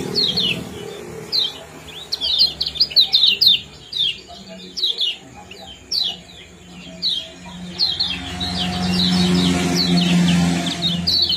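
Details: Common iora giving 'ciak-ciak' and powerful 'jos' calls meant to stimulate breeding condition; bursts of quick, high, descending chirps in clusters, pausing between groups, with a low rumble and hiss rising near the end.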